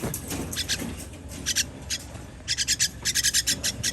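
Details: Baby birds begging while being fed, recorded 21 June 2023: short, harsh rasping bursts come in irregular clusters, growing into a faster run of hissy calls near the end over a low background rumble.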